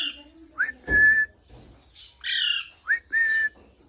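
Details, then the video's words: Parrot whistling in a room: two rising whistles each followed by a held steady tone, split by a rough squawk, with a thump and some low background noise. "Parrot whistling full enjoyment"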